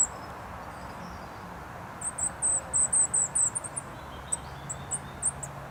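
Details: Goldcrest at Rooksbury Mill Local Nature Reserve on an overcast 3 December 2017, moving through bushes. A rapid run of very high, thin, chirpy notes lasts about two seconds, followed by a few scattered squeaks, over a steady roar of traffic from the A303.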